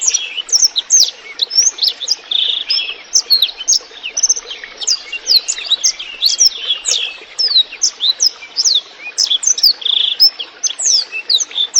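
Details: Blackthroat singing clearly, meant as training and lure song for songbirds: a dense run of high, sharp whistled notes and quick rising and falling slurs, with a soft rush of trickling water beneath.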